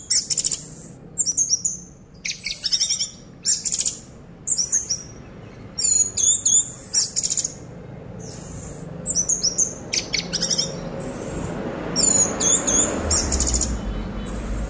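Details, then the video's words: Orange-headed thrush kept in a cage, singing continuously in 'teler' style despite the cage being shaken: a run of sharp, very high whistles and rapid stuttered trills in short bursts, with a rising low rumbling noise near the end. "Burung Anis Merah Gacor Teler 1 Titik Sangkar Digoyang Goyang Tetap Teler"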